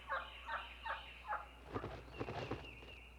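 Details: Wild Turkey assembly calls in woods at daybreak as birds fly down from the roost, telling those still roosting where the flock is: four quick yelping notes about every 0.4 seconds, then a rougher burst of gobble-like calls with a thin whistle behind.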